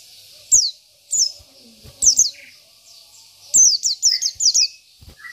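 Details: Oriental white-eye (local pleci) in isian song meant to rile opponents: spaced single high down-slurred chirps, then a quick series of five or six, with a few lower whistles.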